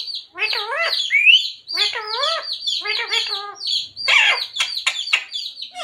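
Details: Talking pet parrot that says "Radhe Radhe" and "Sita Ram": a run of rhythmic, voice-like harmonic syllables in quick groups, mixed with shrill chirps and rasping bursts near the end.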